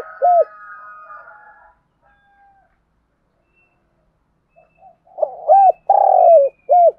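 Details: Spotted dove used as a decoy, calling to lure other doves: a single arched, hollow coo note, a pause of several seconds, then a rapid run of three or four loud rounded coos with a fainter harmonic hum between phrases.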